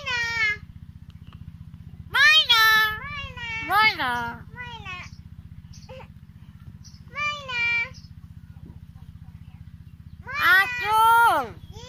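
A hill myna imitates a girl's speech in bursts of bright, wavering, speech-like phrases, several in twelve seconds, over a steady low electrical hum.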